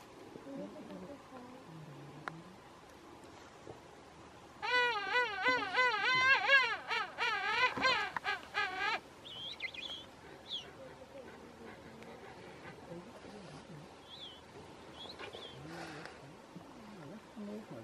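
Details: King penguins in a park on Bahía Inútil, Tierra del Fuego, Chile: one loud, rich, wavering call with a strongly pulsing warble that lasts about four seconds, then fainter distant calls from other penguins over quiet outdoor background.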